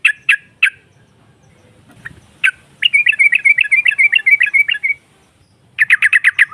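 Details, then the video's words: Female yellow-vented bulbul singing to draw responses from rivals: a few separate sharp chirps, then a quick string of bubbly, evenly spaced notes, and a final short burst of clipped repeated notes. "SEKALI PUTAR SEMUA TRUCUKAN NYAUT NGROPEL Seketika"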